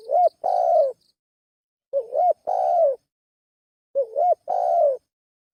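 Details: Spotted dove lure call, three phrases about two seconds apart. Each phrase has a short looping double note and then a drawn-out hollow coo.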